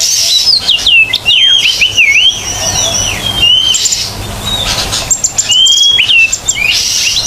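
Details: Lively kacer (Oriental magpie-robin) on a tutor track to make non-singing magpie-robins sing: sharp downward-sweeping whistles and chirps in quick bursts, separated by short gaps, with a steady buzzing hiss behind.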